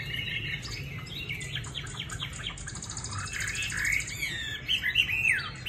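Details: Chinese hwamei, a caged bird with pale yellow legs from Định Công, Hanoi, Vietnam, starts with rapid chattering notes. It then breaks into loud rich whistles that swoop up and down.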